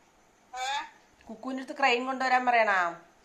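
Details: A parrot talking, giving a short harmonic utterance and then a longer, nasal, speech-like phrase of several rising and falling syllables in a quiet indoor setting.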